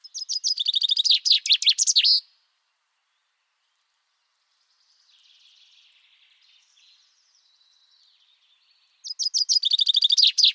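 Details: Common chaffinch singing a rapid, bright series of notes that speeds up and drops in pitch before ending in a short flourish. The two-second phrase comes twice, about seven seconds apart, with faint soft chirps in the quiet gap between.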